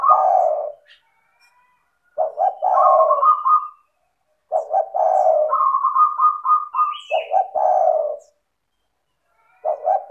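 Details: Spotted dove in full voice, used to encourage lazy doves to call: mellow low coos mixed with higher, rapidly stuttered notes in three long phrases separated by short silences.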